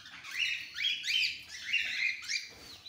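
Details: Cockatiels of various colour mutations kept together: rising and falling chirping whistles repeated about every half second, bright and slightly harsh.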